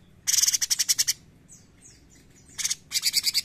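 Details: Bulbul (cucak cungkok) giving fast, harsh chattering pulses in two bursts. Between them come a few faint descending whistles, typical of its 'gacor nembak' singing.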